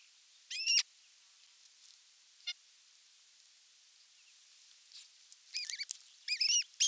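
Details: Osprey calling at its nest in Finland at evening feeding time, 30 June 2022, via nest camera: an opening sharp whistled call, a quiet pause with faint clicks, then a rapid series of high, rising-falling piercing calls.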